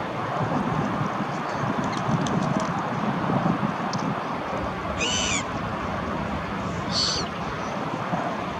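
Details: Two pied avocets fighting, heard as two short, clear, fluty calls about two seconds apart over a steady rush of wind or water noise.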